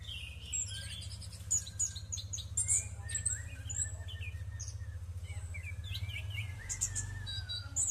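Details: Orange-headed thrush singing while bathing in the morning: faint, varied high whistled phrases and thin slurred notes scattered through, over a steady low hum.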